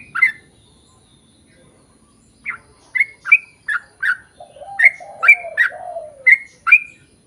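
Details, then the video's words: Lure song of a sooty-headed bulbul in full voice, intended to make other bulbuls sing: an opening note, a pause, then a run of crisp whistled downslurs over a brief low warble. "KICAU SUARA trucukan gacor ROPEL PANJANG pancingan trucukan agar bunyi MENJADIKAN trucuk gacor NYAUT"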